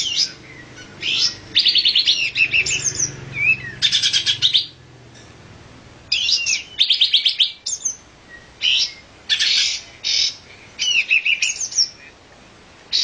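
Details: Olive-winged bulbul repeating clusters of rapid, bright chattering notes, roughly every one to two seconds, with short silent gaps between bursts.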